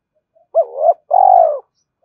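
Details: Spotted dove cooing to provoke a rival: a brief two-part phrase, a rising-falling note running into a wavering coo, then a longer steady throaty coo fading off.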